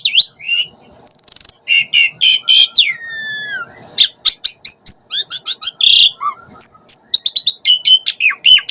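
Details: Asian pied starling used to lure starlings: rapid varied sequence of high whistles, sharp clicks, buzzy chirps and a long falling whistle, delivered almost without pause.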